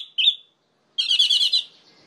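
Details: Orange-headed thrush song for stirring up other orange-headed thrushes: one short clear whistled note, a silence, then a dense, fast, warbling rattle of high notes lasting under a second.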